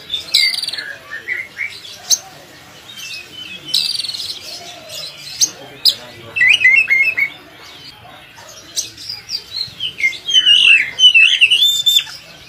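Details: Oriental magpie-robin (kacer) singing a lively song used for training other kacer birds: varied whistled phrases, trills and sharp chirps in quick bursts, with rising and falling notes and brief pauses between phrases.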